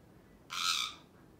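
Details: A male Alexandrine parakeet kept as a pet lets out one broad, hissy screech of about half a second against a noisy indoor background.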